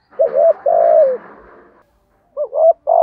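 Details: Spotted dove used as a decoy, 'thổ' voiced, uttering a rough double coo and a long sliding note, then starting another short doubled phrase.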